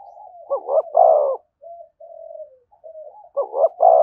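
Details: 'Thúc gù' call of a spotted dove beside a decoy: a short double note, a resonant coo, then soft, drawn-out lower coos before the double note and coo start again.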